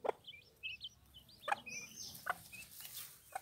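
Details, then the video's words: Hen protecting her chicks utters a few abrupt low clucks spaced about a second apart, while baby chicks keep up rapid, high, rising peeps throughout. "mother hen protecting chicks"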